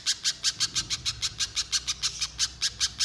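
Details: Little spiderhunter in eager voice, played as a lure so another spiderhunter sings at length: around sixteen piercing, slightly buzzy chip notes at an even clip over three seconds.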